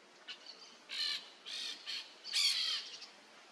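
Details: Jandaia-coquinho, the peach-fronted parakeet, calling from the top of a tree in Brazil: four harsh, buzzy shrieks spaced roughly half a second apart, the last loudest, preceded by a couple of faint chips.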